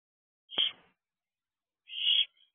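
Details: Barn owlet in a nest box on the evening of 16 June 2022 at 8:17 pm, wiggling and fluffing its wings, gives two short harsh hissing screeches about 1.5 seconds apart, otherwise silence.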